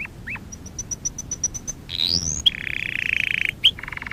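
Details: Canary singing a training song: a few down-slurred notes, then a row of about ten even, high pips, an upward sweeping whistle, and a rapid buzzy roll that ends in more quick notes.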